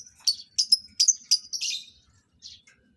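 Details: Lovebirds placed together for mating utter a quick run of sharp, high chirps, then a softer trailing chirp after a pause.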